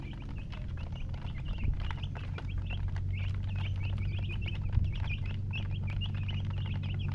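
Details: High-pitched peeps from a group of chicken chicks, short downslurred notes tumbling over each other, against a loud steady low drone and an occasional thump.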